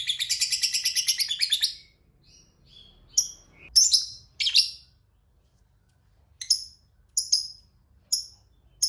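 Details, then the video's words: Fighter lovebird ngekek, a lure call meant to make silent birds reply; under two seconds of fast, high, pulsed trilling, then scattered sharp chips spaced a second or so apart. "Suara Pancingan Burung Lovebird Fighter Ngekek Panjang"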